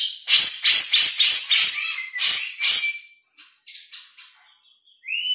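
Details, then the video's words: Grey-cheeked bulbul, 'speed rapet' song style: a quick series of loud, harsh chattering bursts, followed by softer short whistled notes and a closing upward whistle. "Jenggot Speed Rapet"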